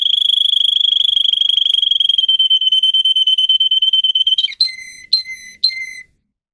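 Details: Russian-type singing canary, recorded for training other canaries: a long, fast, steady high trill lasting over four seconds, then a few separate whistled notes with spaced pauses.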